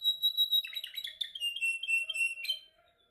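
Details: Domestic canary singing while training to perfect its song: piercing whistles giving way to a dense, rapid trill and a gliding, slightly lower rolled phrase that fades out.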